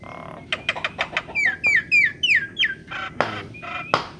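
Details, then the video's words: Songbird giving a quick, melodious phrase: several sharp rising chips, then a run of five slurred notes each sweeping downward, repeated about three times a second, ending in harsher buzzy notes; low background hum. "burung bersuara merdu"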